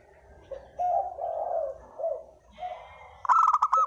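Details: Spotted dove giving a lure coo: a run of low, husky, wavering coo notes that rise and fall, ending in a sudden loud, buzzy, chattering burst.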